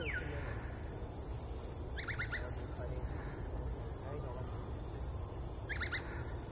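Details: A lone female great slaty woodpecker in Singapore, a species back after a 40-year absence, gives two short bursts of four or five quick, nasal, cackling notes about four seconds apart, over a steady high insect drone.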